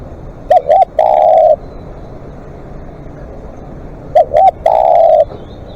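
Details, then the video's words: Spotted dove calling long as a live decoy bird: two phrases, each two brief coos followed by a sustained, level, soft coo, about 3.6 seconds apart, over a low background hum and clicks. "เสียงนกเขาใหญ่ ต่อสดเรียกยาวๆ"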